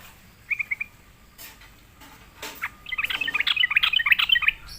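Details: A Sooty-headed bulbul coaxed into song gives a few short chirps, falls quiet, then bursts into a lively, rapid tumbling chatter of bubbly notes.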